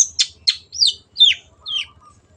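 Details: Long-tailed shrike, or cendet, singing in a clear voice for pet birds to learn: five drawn-out, slurred phrases, rising then sweeping down, some buzzy, over a faint low hum.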